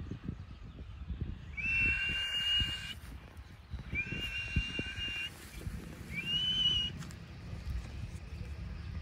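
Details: Indian ringneck parakeet calling outdoors: three drawn-out, harmonic, slightly nasal calls, each about a second long and spaced a couple of seconds apart, with low rumbling background noise throughout.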